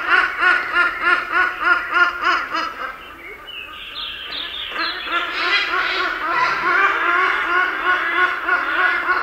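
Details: Hornbill calling deep in the jungle: rapid, regular cackling notes about three per second, each a harmonic chevron, carrying on steadily with overlapping calls and a hiss of forest background.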